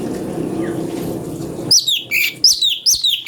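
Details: Cucak cungko singing a variation used to train magpie-robins; after a stretch of low background hum, five sharp, slurred chirps follow quickly in a bouncing sequence.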